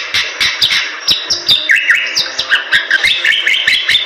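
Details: Lively Bali myna song for tutoring birds, dense with clicks and short buzzy notes, plus brief downward-slurred whistles in the middle and a busy warbled ending.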